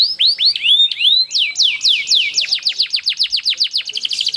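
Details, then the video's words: Canary rolling song aimed at prompting other canaries to sing: looping upswept whistles, then a long run of sharp downslurred notes speeding up toward the end. "GACOR ngerol panjang banyak burung kenari cepet ikut gacor dengan suara kenari gacor ngerol panjang"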